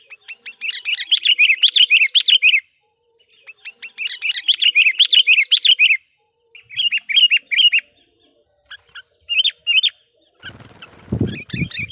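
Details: Lively caged sooty-headed bulbul serving as a lure for wild bulbuls: long, fast, dense bursts of chattering bubbly notes, pausing between runs, shorter phrases later, ending with a low rumbling noise burst.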